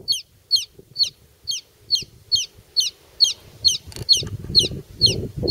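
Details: Baby chick on grass, peeping steadily: high, sharp, downward-slurred notes repeated about twice per second, with soft low rustling and handling noises underneath, louder near the end.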